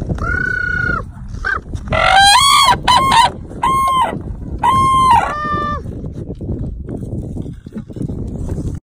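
A white crane gives loud, honking trumpet notes, about six calls in quick, uneven succession, some rising then falling, over steady low rumbling wind noise.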